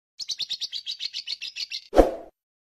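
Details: Lovebird giving a short burst of ngekek chatter: about a dozen rapid, evenly spaced buzzy pulses over under two seconds, ending in a single loud knock or thump.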